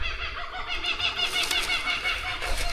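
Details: Kookaburras calling loudly in the Australian bush during a property survey, described as going crazy and laughing; a dense, continuous chorus of harmonic cackling and chuckling notes with low rumble from wind or handling.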